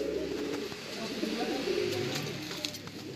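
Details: A Jacobin fancy-breed domestic pigeon gives low, soft, rolling coos in quick uneven bursts, with a faint room hum behind.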